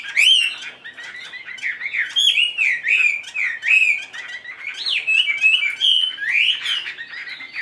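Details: Tamed Chinese hwamei in a cage, tail spread, pouring out powerful varied song: piercing high slurs at the start, then rolling whistled phrases rising and dipping, strung almost without breaks.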